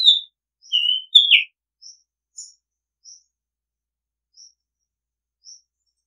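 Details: Oriental magpie-robin opening with loud clear whistled notes, one long level and one dropping, followed by five faint high chips spaced about a second apart; quiet background.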